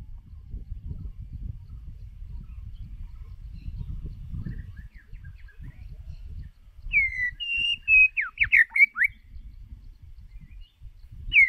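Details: Low rumbling outdoor noise, then a White-rumped shama lure bird singing for voice training, with loud level whistles and rapid sweeping notes in a short burst.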